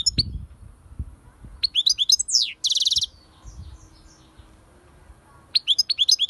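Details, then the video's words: European goldfinch song: bursts of bright, rapid twittering notes, then a high swooping slur and a harsh buzzy rasp. The twittering returns briefly near the end, over a quiet, low background rumble. "SAKA KUŞU ÖTÜŞÜ"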